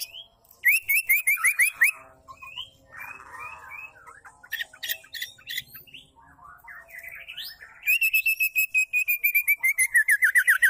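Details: Female white-rumped shama voice meant to provoke male shamas into full song before contests; a rapid rattling series of sharp notes, a stretch of mixed chatter and squeaks, then another long, fast, evenly repeated run of notes.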